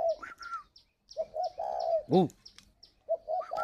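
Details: Spotted doves in an aviary in Ba Vì, Hanoi, Vietnam, with 'gáy gọi' calling coos. Low coo-coo-croo phrases and a higher dove reply, broken by one loud arching harmonic call and light chirps.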